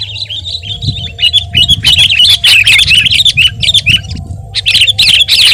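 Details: Sooty-headed bulbul in lively song, recorded to tutor and lure other birds: a steady flow of rapid, twisting, slurred high notes with small breaks, over a faint low hum and a steady mid-pitched tone.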